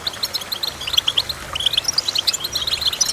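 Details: A goldfinch sings a lively run of clear, high, liquid chirps, repeated quickly and unevenly, mixing short and slightly longer notes.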